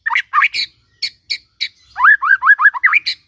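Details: White-rumped shama song used as a morning lure to get a silent shama singing: a few short rising notes, then a quick run of looping, slurred whistles with sharp high ticks between them.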